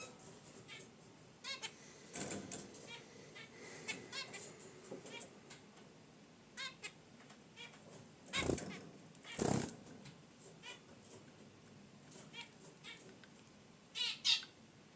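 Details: Caged zebra finches by a wicker basket nest give sparse nasal honks amid several loud rustling and scraping bursts.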